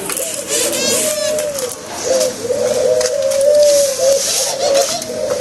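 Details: Pet doves kept in a cage, cooing in the morning: a near-continuous run of low, mellow, slightly rising coos with a short dip in loudness around two seconds, with some hiss behind.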